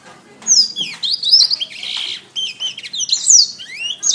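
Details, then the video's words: Canary song for training songbirds: sweeping high whistles, buzzy rattles and fast rolling trills in a continuous loud warble. "SUARA BURUNG - Masteran Terbaik Kenari"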